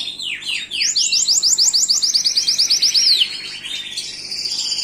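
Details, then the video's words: Gloster canary singing: a few descending slurred notes, then a loud, even series of rising-falling whistled notes ending in a long downward glide, followed by softer high trilling. "تغريد كناري جلوستر"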